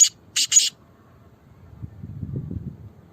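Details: Black francolin, described as a good breed: three harsh, grating, noisy bursts in the first 0.7 seconds, then quiet with low rumbling handling or background noise.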